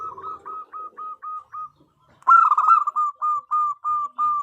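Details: Female zebra dove calling to the male, used as a lure; brisk staccato coos about three a second, a brief gap, then a louder burst and more evenly spaced coos.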